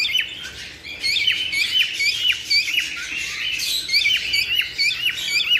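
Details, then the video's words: Several cockatiels calling together to encourage breeding: rapid, overlapping high chirps and bent whistles, about two per second, forming a continuous busy chatter. "تحفيز طيور الكوكتيل على التزاوج"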